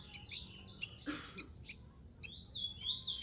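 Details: Wild rufous-collared sparrow singing high, thin whistled notes, short and spaced, against a rushing noisy background with a brief broad burst near the middle.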